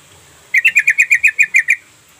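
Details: Call of a sooty-headed bulbul used to provoke silent birds into responding: a burst of about eleven crisp, repeated chattering notes at an even fast pace, with soft background noise.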